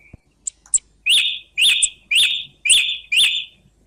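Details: Song thrush song: after a few soft clicks, one strong whistled phrase is repeated five times in a row, roughly every half second, a clear, emphatic pattern with no background noise.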